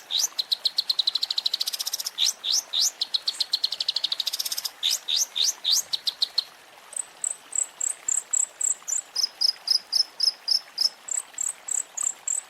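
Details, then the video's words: Long-tailed shrike song from an Indonesian training compilation for pet birds: rapid bursts of very high buzzy, scratchy notes, then a steady string of clear, sharp high chirps repeated several times a second, in two alternating pitches. "Masteran Burung Cendet"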